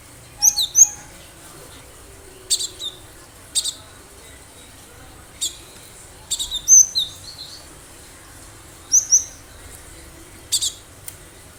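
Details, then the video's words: Cinereous tit from the wild in eager song, used as a lure so other birds answer quickly: short high, sharp note clusters scattered through the clip, mixed with several dry clicks. "Gelatik batu gacor suara asli liaran cocok buat pancingan pikat burung"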